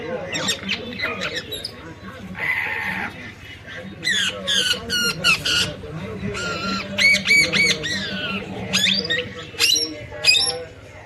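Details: Parrot in Nepal letting out a long run of grating squawks, chattering notes and abrupt upward whistles, loud and irregular throughout, with a steady low hum beneath.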